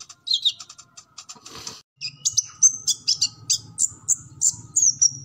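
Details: Sunbird called kolibri ninja giving a chatty full song for training captive birds. Buzzy scratchy notes come first, then a string of bright high descending chips at steady intervals, over a low hum.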